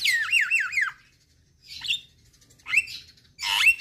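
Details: Javan myna vocalizing, from a recording played mornings and evenings for stressed mynas that stopped singing. Opens with a warbling, up-and-down whistled trill, followed after pauses by short harsh squawks.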